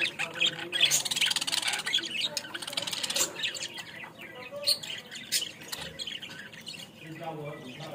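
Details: Budgerigar in Bangladesh giving a dense run of high, scratchy chirps and warbles with rapid sharp clicks, loudest in the first three seconds, then sparser squeaky notes.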